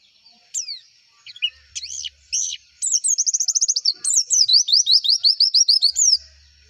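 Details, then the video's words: White-eye (pleci) song used as a lure recording for contest birds: a rapid run of high, descending slurred notes and quick repeated chirps, building into a fast rolling series of looping whistles, with no other sounds. "PANCINGAN PLECI AGAR CEPET BUKA PARUH"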